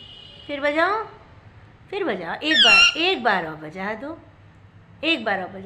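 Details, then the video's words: Pet parrot talking indoors in a small room, producing speech-like phrases with rich harmonic, voice-like syllables in three bursts, sliding up and down in pitch, including one high squeaky stretch in the middle. "BOLNE WALA TOTA PARROT 🦜 MITTU TALKING PARROT"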